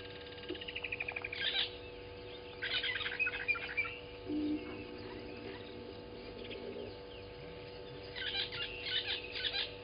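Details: At a waterhole on Djuma Game Reserve in South Africa's Sabi Sand, early morning, 12/06/20, freshly arrived Southern masked weavers give fast pulsed rattles and scratchy chattering bursts separated by short pauses. A constant background hum runs throughout.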